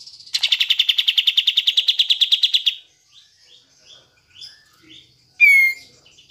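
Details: Caged Sooty-headed Bulbul used to prompt lazy or silent birds into singing: a fast, even, buzzy trill of about 25 notes lasting over two seconds, then a few soft scattered chirps and one sharp downward whistle.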